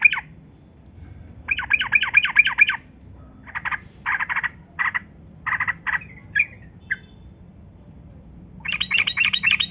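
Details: Lure recording of a yellow-vented bulbul in long ropel song, meant to coax captive birds into singing. Bursts of harsh, rapidly repeated chattering notes come in uneven groups, broken by short pauses and a few single chirps.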